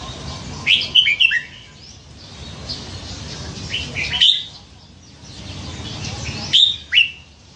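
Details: Red-whiskered bulbul caught as a scruffy youngster and caged for nine months, known for many song types; three crisp whistled phrases of quick upslurred notes, roughly every three seconds, over light background hiss.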